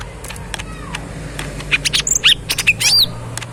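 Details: Caged, tame lesser green leafbird known locally as cucak ijo mini gives a lively burst of high, sharp chirps and looping whistles over a low background hum with ticking sounds.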